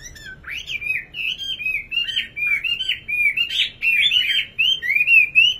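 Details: Singing nightingale pouring out a continuous flow of slurred whistles, each swooping up then down, rich and melodic with little pause.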